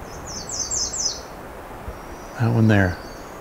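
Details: Female American Redstart song at Pine Tree Point, lacking an up or down ending: a quick series of thin, high, repeated notes lasting about a second, followed by a man talking briefly.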